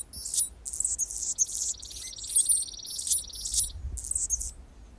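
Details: Anna's hummingbird singing on a branch in Golden Gate Park, San Francisco, California, mixing a steady high buzz with repeated sharp, squeaky, scratchy bursts.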